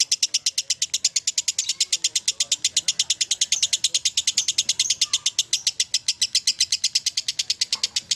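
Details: Long ngekek chatter of a lovebird, used to prompt other lovebirds: a rapid, regular rattle of high, piercing pulses, continuous throughout, with faint low voices in the background.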